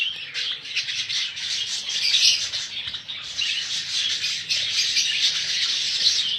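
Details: Captive budgerigars for sale in a crowded chorus: harsh, squawky chirping mixed with rapid twitters, forming an unbroken high-pitched wall of sound with faint low background rumble.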